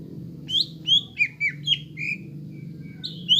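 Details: Greater green leafbird song intended for training young birds to sing: scattered clear whistles, some rising and some dipping, separated by short gaps, with a soft low background hum.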